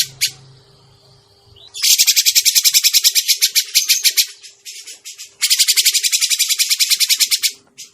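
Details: Grey-cheeked bulbul call played as a trapping lure: a short note, then two long runs of loud, rasping, rapidly pulsed chatter separated by a brief softer gap, over a constant low hum.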